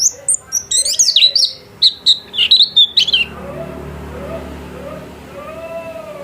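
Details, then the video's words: For about three seconds a white-eye kept at home sings fast, high, falling twitters and whistles. A person speaking follows, with the bird silent. "Burung pleci gacor"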